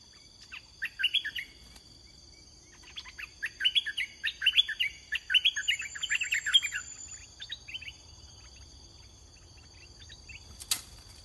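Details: Red-whiskered bulbul during Thai decoy luring: a long, busy stretch of rapid chattering whistles lasting several seconds, softer notes before and after, a sharp click near the end, and steady insect buzz underneath.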